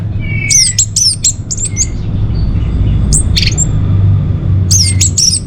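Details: Orange-headed thrush song for luring and tutoring caged birds: a long falling whistle leading into quick high chirping notes in short clusters, with a pause and a final burst, over steady low rumble.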